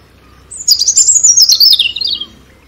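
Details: One continuous phrase from a European robin, a high, rapid, tinkling warble that starts very high and slides gradually lower over about two seconds.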